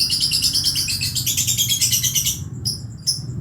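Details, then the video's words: Young lovebird practising sounds with a dense, shrill, rapidly pulsing chatter for over two seconds, then two short high squeaks after a pause. "Ketika anak burung Lovebird belajar untuk bunyi"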